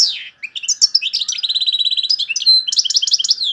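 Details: European goldfinch, Algeria, singing loudly in the torojio, kaka jio and borouis style: a descending note, then rapid jangling twitters, a steady buzzy trill and bright chattering phrases in quick succession.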